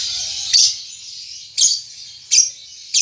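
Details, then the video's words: Juvenile lovebird practising its ngetik and ngekek chatter, uttering four separate sharp, high, squeaky chirps spaced roughly a second apart over a faint hiss. "Lovebird Paud Baby Balibu Muda Belajar Ngetik Ngekek"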